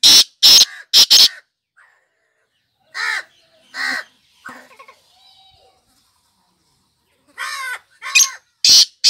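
Black Francolin giving loud, harsh, grating notes in short bursts, several quick notes together, then a pause, then another burst.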